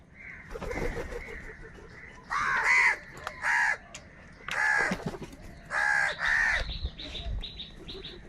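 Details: Large gathering of crows fighting for food, giving loud harsh caws in bursts of one or two, about six strong calls across the stretch over a steady background of many other crows calling.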